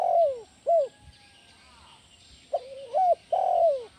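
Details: Spotted dove calling, a sound used to lure and train other doves: a phrase of falling coos, a short note, a wavering double coo and a long descending coo, clear against soft background noise.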